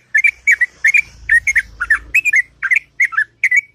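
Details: Sooty-headed bulbul in morning ngropel song, long and melodious: rapid paired whistled notes with bubbly upslurs and downslurs, closely spaced, over a faint low rumble midway.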